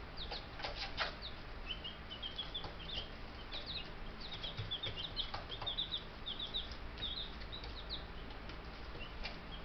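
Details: Ten young Buff Brahma chicks in a bird yard in May, four days old in their new home, peeping in quick high chirps with soft clicks and a steady low hum behind.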